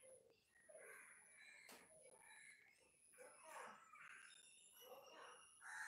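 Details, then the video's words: A fallen bulbul chick gives short, scratchy chirps repeated at an uneven pace, mixed with faint speech-like sounds and a steady high hiss. "Fallen Bulbul Chick"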